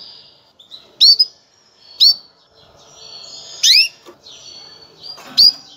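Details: A female canary's mating call to prepare males for breeding: short, bright, down-slurred chirps repeated about every second, preceded by a thin high whistle.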